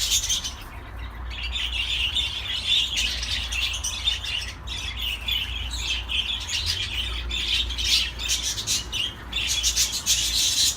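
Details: Budgerigar song: long, rambling warble of chirrups, clicks and high squeaks with a couple of short breaks, steady low hum behind.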